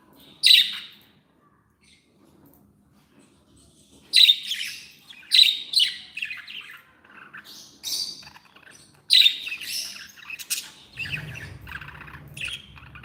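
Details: Happy pet budgerigars giving sharp, loud chirps spaced a few seconds apart, then a busier run of squawky notes over a low rumbling background.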